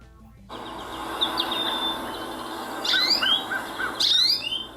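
A goldfinch gives high, bright twittering notes, ending in two bursts of quick rising-and-falling sweeps, over a steady low background murmur.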